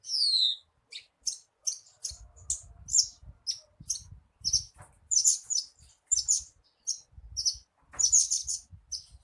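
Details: Javan bushlark song played to start a captive bird singing: opens with a falling whistle, then a rapid string of very high, sharp chirps, with repeated low knocking sounds underneath.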